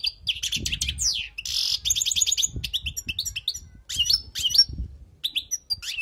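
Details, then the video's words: Wild European goldfinch singing for tutoring: long stretches of fast liquid twittering, rapid buzzy trilled notes and sharp chips, with short pauses between phrases. "تغريد حسون خلوي للتعليم"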